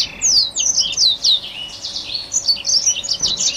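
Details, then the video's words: A Black-throated canary in top singing form sings a combination song, a fast, continuous run of high twittering notes and sweeping trills with no pauses, over a faint steady hum; used to prompt other finches and canaries to sing. "BLACKTROUT GACOR , suara kombinasi"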